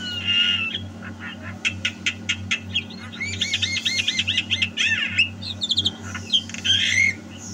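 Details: Javan myna in full song at home: a whistled note, a string of sharp clicks, then a run of looping rising-falling whistles and harsh squawks, with a steady low hum underneath.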